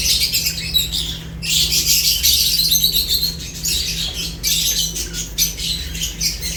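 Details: Lovebirds eating and calling. Bursts of shrill, buzzy chirps from several birds come in waves with short silences between them, over a constant low hum.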